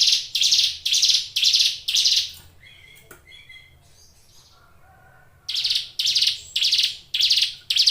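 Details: Hill prinia kept in a cage, singing actively with loud rasping buzzy bursts repeated about twice a second. A short pause brings faint scattered chirps before the rhythmic buzzing series resumes.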